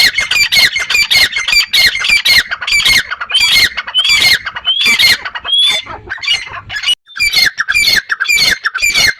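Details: Partridge sounding a long run of loud, rasping squawks at roughly two per second, broken by a brief whistled rising note midway.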